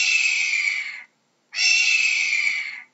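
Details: Two harsh, hissing hawk screams, each just over a second long with a slight downward slur at the finish, given in quick succession with a half-second gap and no other sounds.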